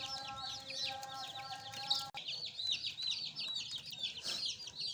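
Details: Young pet chicks, newly added, chirping in rapid high peeps; a lower steady tone drops out midway while the chick chorus carries on.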